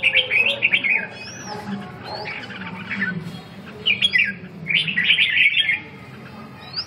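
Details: Red-whiskered bulbul giving quick, bubbly whistled phrases separated by pauses, with rising slurred notes and a steady low hum behind.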